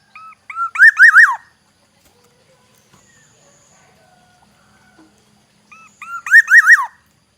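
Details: Two song phrases from a Black-naped oriole of Aceh, Indonesia. Short clipped whistles lead into a rich, liquid, undulating warble. The phrases are about five seconds apart, with near silence between.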